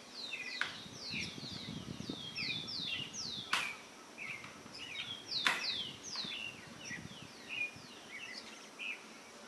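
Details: Campo flicker singing at a rural property near the Araucárias Gigantes reserve, Itajaí river headwaters, Itaiópolis, Santa Catarina, Brazil; series of descending whistled notes with other birds chirping and a few sharp clicks.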